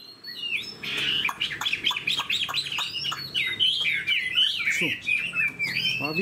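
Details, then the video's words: Chinese hwamei, a caged bird with a spread tail, an eagle-wing display and a reputation as a good fighter. A dense, rich whistled song builds after a quiet start, with rapid slurs and scattered clicks. "Họa mi đuôi xòe vip, chơi cánh đại bàng, đấu tốt"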